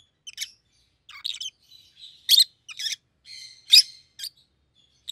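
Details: A yellow and a green rosy-faced lovebird kept together as pets give irregular piercing chirps, about forty a minute, mixed with a buzzy drawn-out squeak.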